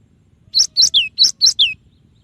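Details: Clear tutor-recording song of a Cinereous tit: six quick high notes in three pairs, each bright chip followed by a whistle sliding downward, over a faint low hum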